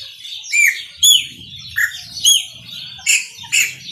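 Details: A chopi blackbird delivers Maranhãozinho song, with about seven strong whistled notes in four seconds, each a bright slur with rich overtones, some curling down, over busy high-pitched background chirping.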